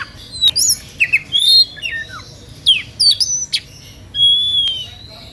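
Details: Emotional song of an Oriental magpie-robin, used to stir rivals into singing along: a fast jumble of sweeping whistles, twisting slurs and sharp ticks, closing with a long, level, clear whistle.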